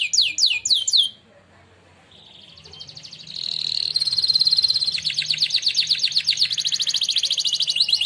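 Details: Canary that won a singing contest, training song: brief swooping notes, a pause, then a rising sustained roll building into a long loud fast trill of repeated high notes.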